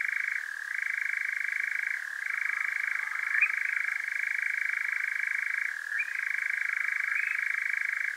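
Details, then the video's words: European nightjar churring at night in Devon, south-west UK, caught with a parabolic microphone and Zoom H5: a continuous, rapid mechanical trill held at one pitch, with brief dips and shifts in tone at intervals. "Powerful Nightjar Churring"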